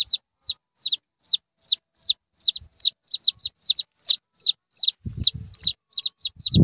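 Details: High, bowed peeps from a red junglefowl chick repeat quickly and loudly, with low thuds near the end.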